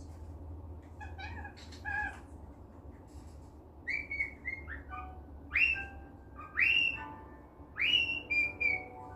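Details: Cockatiel kept as a pet, in a cheerful mood, whistling; quiet chirps at first, then from four seconds loud rising-and-falling whistled notes about once a second, with a low hum behind.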